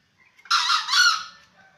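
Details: A seven-month-old green junglefowl gives a short, loud crow: two harsh, hoarse, broadband pulses run together in under a second, the second slightly brighter, ending abruptly with a faint tail.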